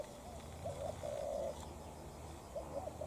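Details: Spotted dove cooing during a fight between a decoy and a wild bird: one soft grainy drawn-out coo after a short note, then faint stuttered notes, under low background hum.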